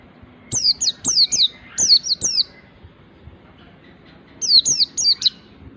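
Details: White-eye in ngalas song, learning to sing nembak: rapid runs of five to seven sharp, very high, downward-slurred notes, then a pause and another run of four.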